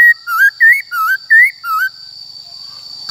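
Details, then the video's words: White-cheeked laughingthrush song in the wild forest style, used to coach caged young birds: six rapid whistled notes, rising and dipping in turn, then silence apart from a continuous high-pitched tone. "Khướu Bạc Má HÓt Giọng Rừng Bao Phê"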